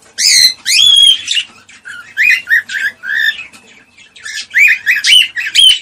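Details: Cockatiel calls used to stimulate mating: loud bright whistled chirps and harsh squawks in quick bursts, a run of shorter lower chirps in the middle, then more sharp rising-and-falling whistles to finish.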